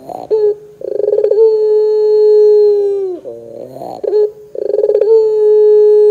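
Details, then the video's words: Lure recording of a pelung Barbary dove. Repeated drawn-out coos, each opening with a rapid stammered burst and then held level and low for nearly two seconds before dipping, with a short warbling phrase in between. "PANCINGAN PUTER GACOR 100% JOSS TERBAIK 2024, PUTER BAHAN BAKALAN PASTI CEPAT NYAUT BUNYI !!!"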